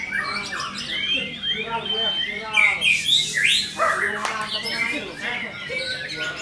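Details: Vigorous White-rumped shama song: a varied stream of looping whistles, rising and falling slurs, buzzy trills and abrupt harsh notes, several phrases a second, swelling louder mid-way before easing off.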